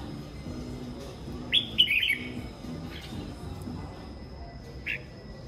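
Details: Morning singing from a red-whiskered bulbul: one rich, rolling whistled phrase mid-clip and a single short note later, set against noticeable background rumble and a faint steady whine.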